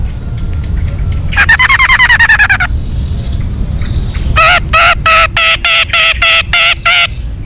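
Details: Ngetet song of a long-tailed shrike, a lure for reluctant singers: a fast wavering trill, a pause, then loud harsh grating notes repeated about three times per second.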